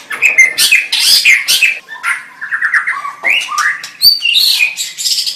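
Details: White-rumped shama singing loudly, with harsh scratchy bursts, a quick series of repeated short notes, then sliding clear whistles and high ringing tones.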